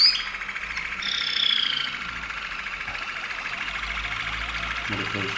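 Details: Waterslager Malinois canary singing in Veliko Gradiste, Serbia: a continuous run of rolling, bubbling trills and tones held steady over a high pitch band, with a brief brighter whistled phrase near the start.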